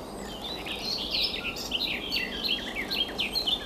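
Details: Garden warbler (Sylvia borin), hidden in bird cherry or alder, sings a sustained, rich, rapid warbling babble of mellow notes between mid and high pitch, with faint background hiss.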